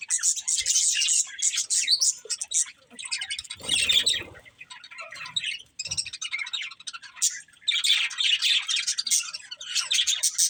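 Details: A breeding pair of budgies chirping in several bursts of high warbling chatter separated by quieter gaps, with a brief low rustle near four seconds.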